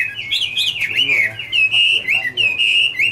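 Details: Chinese hwamei, Garrulax canorus, autumn song: a loud, fluid whistled phrase with rising and falling slurs, followed by long, clear sustained whistles broken by short gaps.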